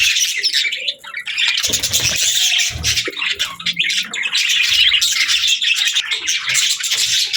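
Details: Budgerigar warbling as a nonstop stream of raspy, squeaky chatter, busy and loud throughout, with faint low thumps now and then.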